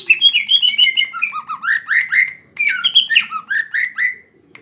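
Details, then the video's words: Greater green leafbird singing energetically: a long, varied stream of rich whistled and chattering notes, sweeping down and up, delivered in rapid bursts with a brief pause midway. "Burung cucak ijo gacorr full tembakan"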